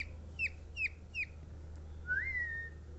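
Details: ['Javan myna singing: three short, sharp whistled notes that drop in pitch, spaced about 0.4 seconds apart, then a longer whistle that rises and holds steady. A low steady hum runs underneath.']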